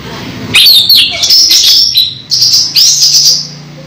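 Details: Orange-headed thrush, a caged bird close to moulting yet still singing actively: loud, varied phrases of high whistled and slurred notes, rapid and rich, with brief pauses between bursts.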